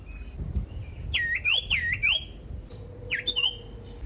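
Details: Loud, varied song of a common iora (sirtu, cipoh) meant to lure other ioras into singing. Three looping, wavy whistled phrases follow a faint thin note, then a rising slurred whistle, over low background rumble.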